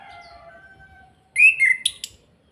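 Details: An orange-headed thrush sings kretekan to provoke other birds: a long thin steady whistle, then a loud burst of slurred high notes ending in two sharp clicking accents.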